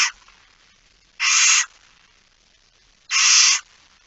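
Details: Barn owl in its nest box at night, mid-September 2019; evenly spaced rasping screeches of about half a second, roughly two seconds apart.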